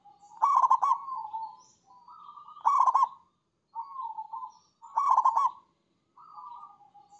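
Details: Perkutut, the zebra dove, giving its long cooing manggung song: a softer rising coo followed by a strong trilled rolling note, phrases repeating roughly every two seconds against a silent background.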